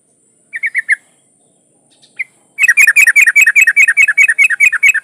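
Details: Female yellow-vented bulbul in breeding condition calling a male: a short burst of four bubbly chirps, a single note, then a long fast run of bright chattering notes repeated steadily to the end.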